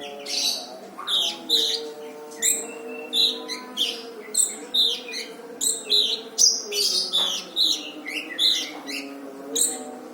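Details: Brown-throated sunbird in full, dense song, recorded as a training track for other songbirds: loud, sharp chirps and twittering bursts repeated roughly every half second, over a faint low tonal drone.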